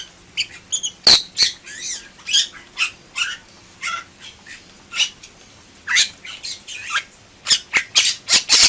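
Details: Bali myna in full gacor song, stringing together wavering nasal notes, sharp dry clicks and loud harsh squawks, the phrases growing denser and louder toward the end.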